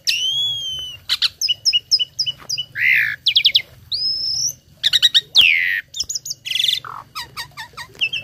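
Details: Varied song of a tame starling filled with copied phrases, played to teach other birds: a long clear whistle opens, then rapid chirps, buzzy notes, upward sweeps and staccato clicks follow without a break. A low hum sits underneath.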